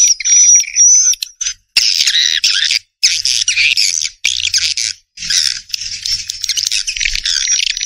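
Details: Swiftlet calls as choppy high buzzy chattering bursts separated by short silences, with a faint thin whistle at the start and end.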